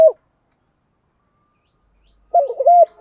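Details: A hen spotted dove giving her male-attracting call: one brief coo, a long silence, then a burbling phrase ending in a smooth, sustained low coo.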